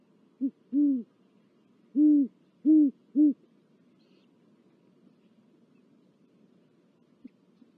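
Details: Great horned owl at a nest in Corona, California, on 19 February 2023, with prey and four chicks, gives five deep, soft hoots in its stuttering rhythm, a short note then longer ones, over about three seconds; the rest is quiet.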